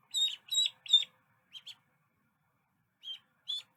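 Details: Little duckling: three loud, bright, slightly buzzy peeps in quick succession, then a soft pair and, after a silent gap, two more isolated chirps.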